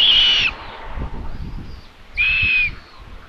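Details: Common buzzard at a nest in Tiszalök, Hungary, 27 May, as the mother brings another chick in for lunch: two loud, high, slightly falling mewing whistles about two seconds apart, low background rumble between.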